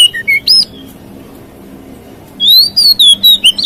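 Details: Oriental magpie-robin singing in a way said to provoke other magpie-robins: a few clear whistled notes rising and sliding, a quiet stretch with low hum, then a rapid run of bright, high whistled phrases.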